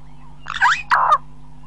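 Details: Burchell's starling calling at close range: two harsh, grating, broadband bursts less than half a second each, separated by a short gap, in otherwise quiet surroundings with a low steady hum.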